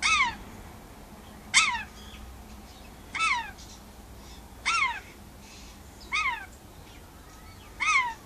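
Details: Rainbow lorikeet kept as a pet, out on the verandah and talking to outside birds, gives six strident descending squawks roughly every one and a half seconds, each harsh and rich in overtones.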